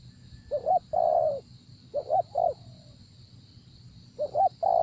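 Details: Spotted dove heard in a decoy-luring session: three cooing phrases, each a short double note followed by a drawn-out mellow coo, separated by pauses, over a constant thin high drone.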